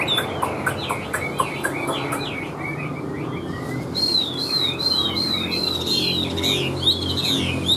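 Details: Chinese hwamei kept in a cage, with a large body and yellow legs and bill, singing in the laughingthrush-tail style. Quick, sharp notes come first, followed by a long series of high looping whistled phrases.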